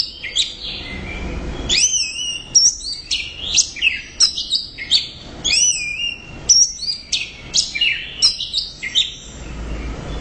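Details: Orange-headed thrush singing hard and loud: clear whistled phrases that sweep up and down, stacked sharp chips and short rattling runs, each burst separated by brief gaps of under a second.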